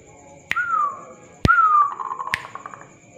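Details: Zebra dove sound used as a lure for other doves: two clear whistled coos sliding gently downward, each preceded by a sharp click, with a third click near the end.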